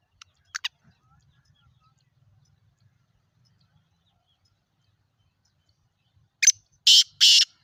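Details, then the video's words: Black francolin (kala teetar) giving a harsh grating call: two brief clicky notes early, several seconds of near silence, then a closing phrase of three rasping, buzzy bursts in quick succession. "Kala teetar Ki Awaz black frencolen voice mushki teetar Ki awaaz Sindhi teetar Ki awaaz"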